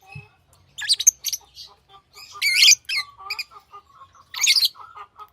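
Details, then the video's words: Pet lovebirds chattering with harsh, buzzy high chirps in irregular bursts, mixed with softer repeated twitters and a brief low knock at the start. "Love birds Sounds | lovebirds chirping sounds"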